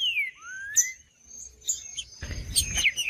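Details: Green-winged saltator singing to stimulate other saltators: a falling whistle followed by a long, smooth rising whistled note, a quiet pause, then a burst of short bright notes over a faint steady high tone and some low rumble.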